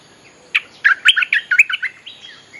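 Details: Bulbul lure song for attracting wild birds, with one clear note followed by a fast, rollicking series of warbled, bubbly notes, then a soft tail of quieter twitters.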